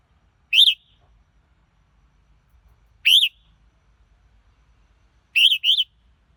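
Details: Single arched whistles from a red-whiskered bulbul at irregular intervals, ending with a quick double note, in quiet surroundings.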